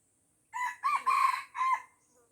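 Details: Red junglefowl from Aceh, Indonesia, surrounded by young birds and refusing to fight, gives a loud four-part crow: a short opening note, a rising second note, a longer wavering third and a clipped final note, over quiet background.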